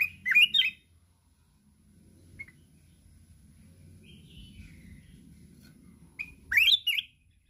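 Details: Mountain red-whiskered bulbul singing hard in contest while flapping its wings continuously, in the wild 'kít bổi' voice style: a loud warbled burst at the start and another near the end, with faint low rumbling between.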